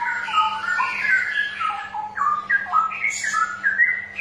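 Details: Straw-headed bulbul song used as a lure to stir birds reluctant to sing: rich, bubbling whistled phrases sliding between low and mid pitch, flowing continuously with short upward flicks near the end.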